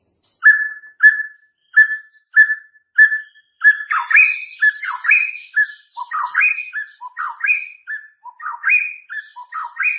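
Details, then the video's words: White-rumped shama singing a clear song: opens with five or six short, steady whistled notes, then a rich, varied run of rising and falling whistles and buzzy phrases delivered quickly without pause; no other sounds. "Suara Murai Batu Jernih"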